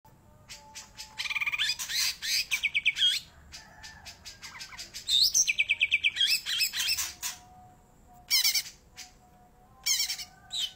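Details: Greater green leafbird singing persistently: bursts of rapid buzzy chattering and sharp high chips, with short bright whistled notes, broken by brief pauses and a faint low hum beneath.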